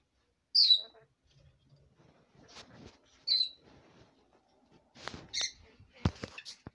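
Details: Pet red lorikeet, female, jabbering at bedtime: two sharp falling squeaks, then soft scratchy mutters and a burst of clicks and chattering notes near the end.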